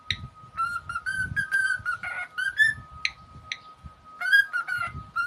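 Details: Indoor pet cockatiel producing short, repeated whistled notes in uneven bursts, some sharp and rising, with brief pauses between phrases and a constant low hum behind.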